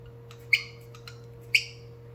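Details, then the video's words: Pet cockatiel beatboxing: two sharp, bright clicking chirps about a second apart, with fainter short clicks between them, over a steady low electrical hum. "Cockatiel Bird Beatboxing Battle"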